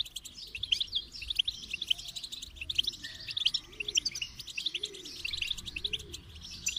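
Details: Goldfinch song used to stimulate other goldfinches: a continuous, rapid, high twittering of tinkling and buzzy notes, densely run together without pauses, over faint low, soft rising-and-falling tones in the background.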